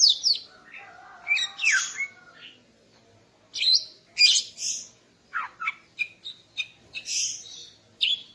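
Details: Female greater green leafbird singing in the morning to arouse the male: varied burst of whistled and chirping notes, some sliding down, in two bouts separated by a short pause, with a faint low hum behind.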